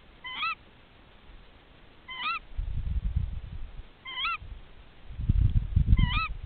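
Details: Tawny owl mates calling to each other at their nest during a nest check: four sharp ke-wick calls repeated every two seconds or so, with bursts of low rumbling noise in between.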